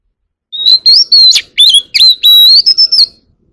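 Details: Forest-style song of a white-rumped shama calling its flock: a fast run of bright, ringing whistles, slurred upward and downward phrases and crisp chips, ending in a sustained high whistle, loud and clear.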